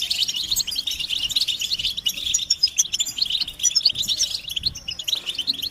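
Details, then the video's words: European goldfinches chatter as a group, calls meant to push males to sing without interruption; a thick wash of thin, high tinkling twitters continues steadily across the whole stretch. "بتبتة الحسون تحفيز الحسون على التغريد والهيجان علاج صمت الحسون goldfinch stimulation"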